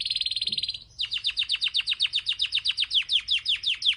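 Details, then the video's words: Syrian canary song: a high, sustained trilled note, then a fast series of regular, sharply descending whistled notes repeated about eight times a second. "تغريدة طائر الكناري السوري"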